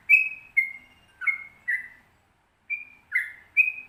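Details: Yellow-vented bulbul giving a slower, spaced series of clear whistled notes, some flat and some slurred downward, with a short pause in the middle, quiet background; a training recording for kept birds.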